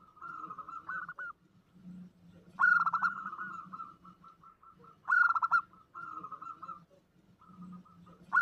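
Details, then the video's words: Female zebra dove calling to a male, an omyokan-style lure call: mid-pitched purring coos with fast stuttering pulses, louder bright bursts roughly every two and a half seconds, softer trilled notes between them, and a low hum underneath. "suara pancingan perkutut omyokan"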